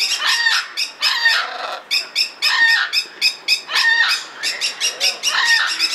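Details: A blue-and-yellow macaw (Ara ararauna) at Belgrade Zoo, Serbia, in February, gives loud, harsh, raspy squawks in quick bursts, about two or three per second, with short pauses between groups.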